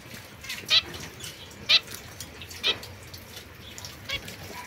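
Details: Zebra finches, a young isolated pair with a white female and mosaic-coloured male, recorded 22 September 2024: loud nasal beeping calls repeated roughly once a second, four in all, over quiet rustling.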